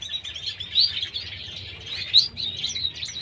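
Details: Pineapple green-cheeked conure pair giving rapid, high chattering chirps in uneven bursts, with a few sharper, louder notes standing out over a faint low hum.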